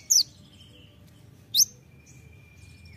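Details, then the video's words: Olive-backed sunbird (kolibri ninja) uttering three widely spaced, piercing high chirps, with a thin, steady, drawn-out whistle between them. "masteran kolibri ninja (konin) gacor isian full tembakan"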